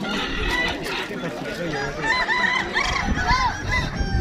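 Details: Kukuak Balenggek rooster at a crowing contest: a run of short arched, stepped crow syllables in the second half, over overlapping crows from other roosters and steady crowd chatter.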